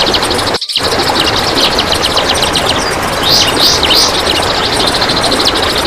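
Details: Training recording of a kapas tembak: rapid high twittering phrases with a few clear rising whistled notes, a brief dropout near the start, steady background noise throughout.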